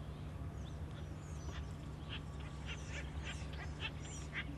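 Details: Acorn woodpecker family group, noisy and rambunctious, with chicks nearly ready to leave the nest, in an urban nature area by the American River: a run of harsh, rapid, evenly spaced chattering notes over a steady low rumble.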